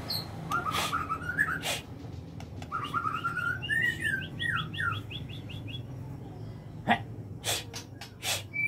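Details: White-rumped shama kept in an aviary gives whistled, slurred phrases and a quick series of repeated rising notes, over a steady low background hum with some sharp clicking sounds.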